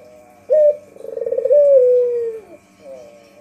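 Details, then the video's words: A white Barbary dove, used as a lure call, gives a low, soft coo: a short opening note, a rapid rolling trill, then a long drawn-out falling note, over a faint steady hum. "Suara Burung Puter Putih"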